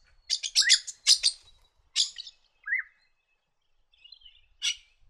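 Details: Red-rumped parrot in the New England region of NSW, Australia, a species of parklands and grassy woodlands that feeds on the ground: bright, high chirps and short warbled notes in quick bursts, with brief pauses between phrases.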